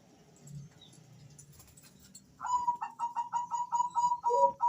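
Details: Two male Bangkok-type zebra doves answering each other, used to lure birds into calling: low murmuring noise at first, then a fast even string of bright whistled notes joined near the end by a lower overlapping coo.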